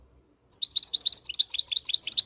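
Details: Moroccan goldfinch delivering rapid, high-pitched twittering, with short chirped notes tumbling in quick succession and a steady, bouncy rhythm.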